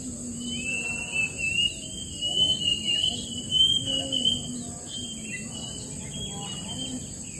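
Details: Long-tailed Shrike guarding its nest and watching for predators: a sustained buzzy, slightly wavering note with louder harsh bursts. A steady high insect whine continues behind.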